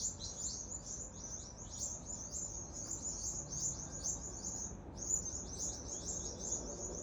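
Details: Birds in Adelaide, Australia, chirping loudly while a rat chases them: a dense, continuous chatter of rapid, high, sharp chirps from several birds, with a steady low rumble of background noise.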